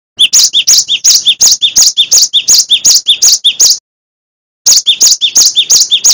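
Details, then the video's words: A cinereous tit (gelatik batu) sings a fast, ringing two-note phrase, high then lower, repeated about three times a second, with a brief pause before it resumes and no other sounds. "Gelatik batu Full Gacor Dor , Masteran Glatik Watu Wingko"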